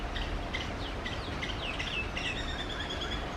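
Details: A female house sparrow gives a scatter of short, bright chirps, several close together, over a steady low rumble of outdoor background noise.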